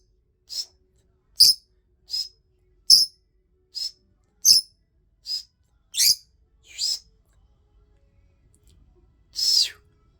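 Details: A rosy-faced lovebird calls repeatedly: about nine sharp, high, squeaky chirps roughly one per second, a short pause, then one longer, harsher screech.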